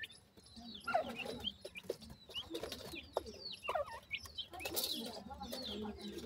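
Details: Young grey francolins foraging with their family: scattered high, piping downslurred peeps from several chicks, some softer low murmurs, and brief rustling and tapping noises throughout.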